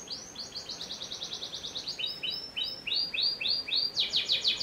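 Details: Panda canary singing a fast series of repeated high, bright notes that shift into slower rolled phrases and end in a sharp, fast trill.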